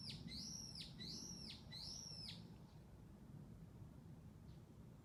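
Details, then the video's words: Twittering bird gives three high, downward-sweeping whistles in quick succession, then falls quiet, leaving only soft low background noise. "鳥の声 twittering"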